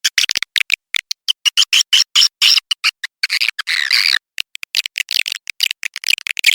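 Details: Swiftlet lure sound for attracting swiftlets: loud, rapid bursts of sharp, high chirps and twitters, clipped into short pulses separated by abrupt silences, with a longer rattling trill around four seconds.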